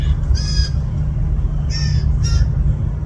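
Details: Fledgling blue jays begging in a yard on June 20, 2024: three brief, harsh squawks, the first longest, spread over three seconds against a constant low rumbling background.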